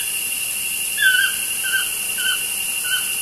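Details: Toucans calling outside a studio window, four short squeaky croaking notes spaced about half a second apart, over a steady high-pitched electrical hiss.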